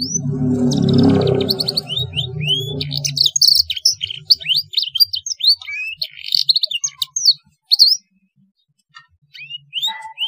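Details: Black-throated canary song played to tutor young canaries learning to sing: after about three seconds of low rumbling noise, a lively run of high, clear, slurred whistles, rising and falling notes with short pauses between phrases.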